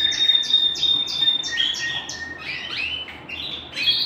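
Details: Canary singing indoors at home: a quick series of repeated sharp high notes, about five a second, then rapid slurred and rolling trills at slightly lower and higher pitches.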